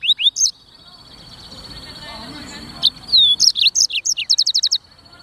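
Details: Black-throated canary in busy 'gacor' song as clean training material: brief high chirps, a quiet gap with faint background murmur, then a burst of rapid repeated high chips and short trills.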